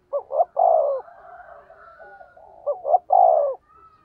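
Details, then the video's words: Spotted dove used as a decoy, 'thổ' voice, 'thúc gù' cooing: two phrases of two brief notes plus a sustained coo, separated by a soft murmuring trail. "cu gáy giọng thổ THÚC GÙ bài bản"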